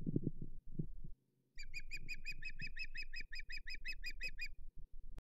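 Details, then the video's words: Osprey at its Hog Island nest on 8 May 2023, fish delivery failing: after low thuds, a steady run of about fifteen clear, sharp whistled chirps rattles off evenly for three seconds over soft background rumble. "Failed Fish Delivery to Callie - Hog Island Osprey Nest"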